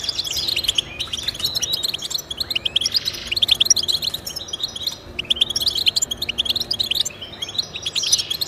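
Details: Energetic European goldfinch twittering in repeated bursts of high, jangling chirps and slides, several seconds long, with a constant soft background hiss; played to stir pet goldfinches to sing.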